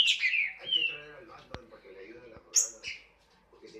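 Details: A green-winged saltator sings Paraná-style song: rich, loud whistled phrases that slide downward, then a sharp high burst after a short pause, over faint low murmuring.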